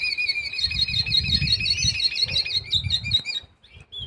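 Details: Mixto canary hybrid, red, being prepared for song contests, delivering a long rapid rolling trill of high notes before stopping abruptly, with low rumbling background noise throughout.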